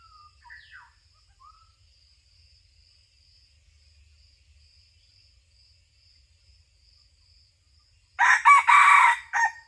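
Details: Red junglefowl crowing during a hunt, 2022–2023: a loud, harsh, multi-part crow bursts in near the end after a long quiet stretch with a faint steady insect hum and brief distant whistles.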